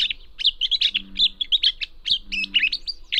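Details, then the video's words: Uncommon gray catbird in a restored Northern California meadow among thick willows and alders, an unusually strong mimic; quick run of scratchy and whistled notes, rising and falling slurs packed closely together, with a low steady drone in the background. "And not only was I hearing gray catbird, but I was hearing an incredible catbird, a bird that mimicked"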